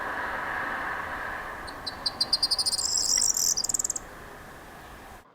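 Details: Corn Bunting perched on a wire at the airport on Lesvos, 20 April 2025, singing a rapid series of high ticking notes that speed into a brief jangling, glassy rattle over a low traffic hum.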